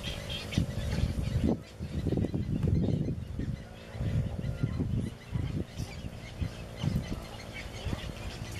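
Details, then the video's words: Low, hoarse croaking bursts from glossy ibises at a nest in Cyprus, recorded 21 June 2018, coming in irregular groups over several seconds with short quiet gaps between them. "Glossy Ibis Nest (Plegadis falcinellus) Χαλκόκοτα"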